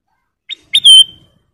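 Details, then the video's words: Caged golden bulbul (kutilang emas) singing for use as a master recording to train other cage birds: a short whistled note, then a loud, clear whistle that slides down and holds steady. "Suara Siulan Burung Kutilang Emas Masteran Istimewa"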